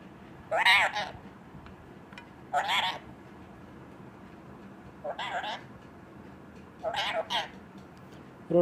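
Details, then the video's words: A talking Indian parrot speaking Punjabi and Hindi: short, rasping word-like bursts, four or five phrases spaced a couple of seconds apart, with a low background hum between them. "toking parrot"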